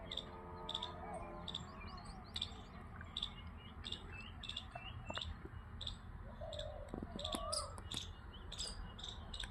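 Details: Birds chirp, with many short high tweets and quick slurred notes overlapping from several callers. A few lower whistled calls sound mid-clip, over a steady low background rumble.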